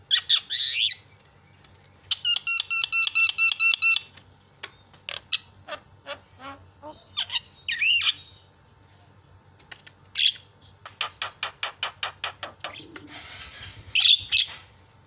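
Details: Javan myna varied song played to provoke other mynas, mixing harsh squawks, a two-second burst of fast rattling metallic notes, rapid dry clicks in trains, and sharp whistled squeals near the end.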